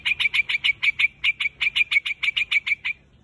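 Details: A white-headed quạch mốc bird calls to gather its flock. Seventeen clipped, bright chirps follow each other quickly for about three seconds, then stop.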